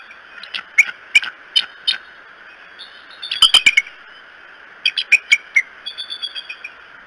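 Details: Bald eagles at the Decorah nest in the morning of 13 May 2018; series of high, thin, piping chirps in short bursts of three to five notes, with faint background hiss.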